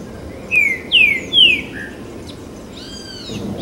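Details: Green-winged saltator (trinca-ferro) at the Botanical Garden, São Paulo, Brazil, 28 September 2017: three loud, clear descending whistled notes about half a second apart, then a soft low note, later faint higher chirps from other birds.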